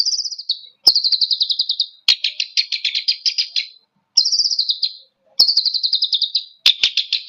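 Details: Long-tailed shrike provocation song in repeated bouts: each a short high trill dropping in pitch followed by a broader harsh rattle, with sharp clicks between bouts.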